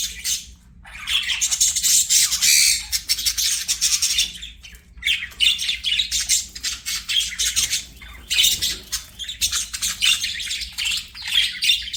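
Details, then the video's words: Pet budgerigar warbling in long runs of rasping, high chatter and squawky chirps, separated by a few short silent breaks, a steady low hum beneath. "BUDGIE CHIRPING SOUNDS"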